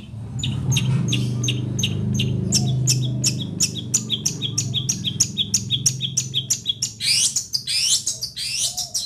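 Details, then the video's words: Long-tailed shrike from Situbondo giving a fast, varied run of sharp chirps and clicks at about three per second, ending in rising, slurred whistled phrases, over a steady low musical hum. "Burung CENDET"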